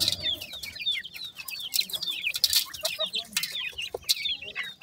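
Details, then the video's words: High-pitched, sweet peeping of grey francolin chicks, quick downward-slurred notes tumbling over one another in a busy stream, with sharp clicks between. "grey francolin chicks speech,sweet voice of a baby pheasant"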